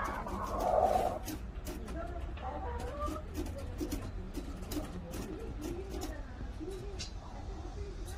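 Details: Korean native chickens, a traditional local breed, with a loud, brief, tonal call near the start, then steady low murmuring clucks repeated in quick, uneven succession, with scattered sharp clicks and knocks in the background.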